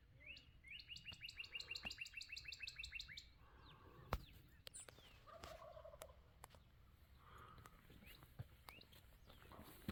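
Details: Wild turkey gobbling in the early morning: a rapid, rattling burst of stacked pulses lasting under three seconds, followed by softer scattered calls, rustling and small birds chirping in the background.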